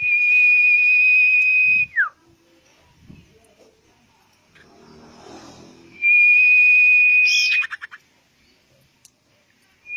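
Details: Common iora song played as bait to prompt a bird to sing quickly: two long, steady high whistles of about two seconds each, each ending in a quick downward slur, separated by a quiet gap with faint low rustling.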